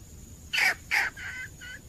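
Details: Red junglefowl hen calling to bring in males, recorded 17 February 2021: two loud harsh notes followed by two softer, thinner, descending notes, against a low steady hum.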